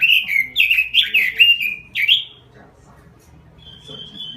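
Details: Robin giving its lure song: two seconds of rapid, warbling whistled notes, then quiet with a faint thin whistle near the end.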